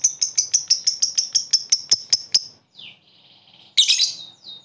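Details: Lovebird ngekek trill used to provoke rival birds to reply: a fast series of about fourteen sharp, high, clipped notes, then a brief descending squeak, a short pause, and a loud harsh burst of chatter.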